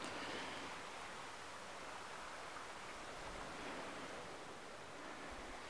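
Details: Quiet, even rushing noise like surf or flowing water runs throughout, with no animal calls.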